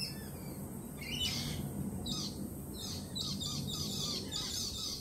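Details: Jittery lorikeets following a peregrine falcon attack earlier that week: loud, shrill screeches come in rapid clustered bursts roughly every second, harsh and noisy in tone, over faint low background rumble.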